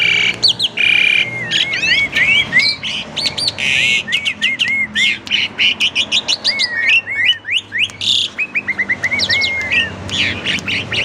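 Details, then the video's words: Kept Asian pied starling, a friend's collection bird, singing a varied lure song meant to provoke other starlings: a busy run of loud slurred whistles, rising and falling swoops and sharp chirps, almost unbroken for eleven seconds. "Burung Jalak Suren Super Gacor, Pancingan Jalak Suren, Jalak Suren Bunyi Variasi"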